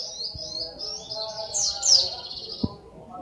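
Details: Sunbird giving a continuous high, buzzy warble that wavers in pitch, with one brighter note sliding sharply downward near the middle, plus a faint click.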